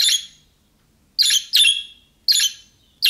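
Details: Budgerigar giving calling-style chirps that other budgerigars reply to; five loud, grating calls in quick pairs over three seconds.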